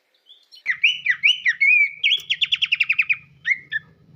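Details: Horsfield's babbler (Malacocincla sepiaria), a small bird that hides in scrub in Southeast Asian tropical forest, gives clear, high whistled notes, then a quick run of bright repeated chips.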